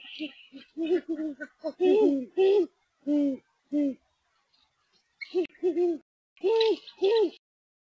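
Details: A great horned owl pair in Texas checking out a nest: the male and female trade deep, soft hoots in short bursts of several notes, the female's voice slightly higher.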